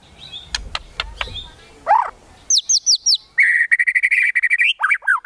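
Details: White-rumped shama giving a kretekan tembakan, a rattling shot-like song aimed at provoking emotion: a few dry clicks, a slurred whistle, quick rising notes, then a fast buzzy rattle and closing whistles.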